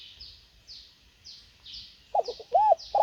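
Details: Repeated high insect-like chirps at first, then a decoy spotted dove, kept for luring wild birds, breaks in with a burbling note, an arched hoot and a rolling purr.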